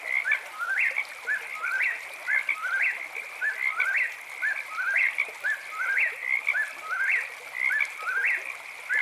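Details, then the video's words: At night an eastern whip-poor-will sings a long run of roughly nine whistled phrases, each with a short opener, a slurred middle and a sharp rising finish, over a constant frog chorus. "Whippoorwill Bird Sounds"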